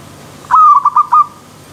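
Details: Zebra dove, called perkutut, giving a short cooing phrase of about one second: a low steady tone broken into four or five quick pulses, over a soft background hiss.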